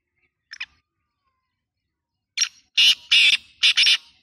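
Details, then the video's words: Black francolin calling: a faint rasp, a pause, then a rapid series of loud, harsh, buzzy notes ending in a doubled grating burst, against a quiet background. "black tater ki 🔥 voice masti wali"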